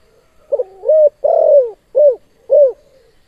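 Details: Spotted dove giving a KUK 2 style coo phrase, its bird in full, frequent voice: a short soft lead-in, then four hollow, low, down-slurred coos, the longest in the middle, over a silent background.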